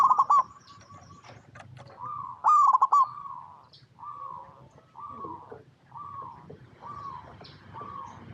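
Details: Zebra dove of local stock, cooing steadily as lure song to set other doves singing: several short rolling coo phrases at a steady mid pitch, repeated roughly every second or so, with one louder trilled burst early on.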